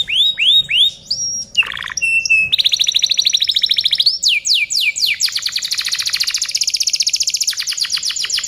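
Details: Domestic canary singing a tutoring (masteran) recording: curved whistled notes, a short harsh burst, a long high buzzy roll, then fast repeated downward-sweeping trills ending in a rapid steady chatter.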